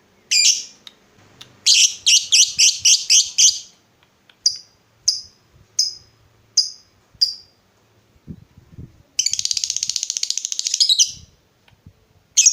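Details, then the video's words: Chatty lovebird in a lure recording for making other lovebirds answer with ngekek: rapid buzzy chattering notes, a few spaced sharp chips, then a fast continuous rattling trill lasting about two seconds. "Pancingan Lovebird Gacor Burung Lakbet apapun pasti Nyaut Ngekek"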